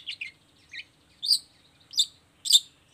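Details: Long-tailed shrike singing in a lure recording aimed at getting other shrikes to answer: quick scratchy notes followed by three loud, harsh chip bursts about two-thirds of a second apart.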